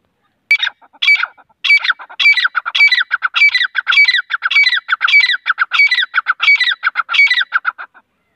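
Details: Grey francolin, known locally as teeter, giving a loud, harsh call: scratchy multi-note phrases repeated steadily about every 0.6 seconds for roughly eight seconds, each with a sharp high squeal, against an otherwise quiet background.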